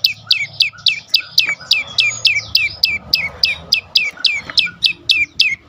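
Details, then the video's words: Prinia (prenjak lumut) 'dorr' song intended to tempt other birds into singing: shrill falling chips repeated about three per second, steady rhythm, soft low background noise throughout. "full Dorrr prenjak lumut lain makin tergoda berbunyi sangat ampuh untuk pancingan burung bisu"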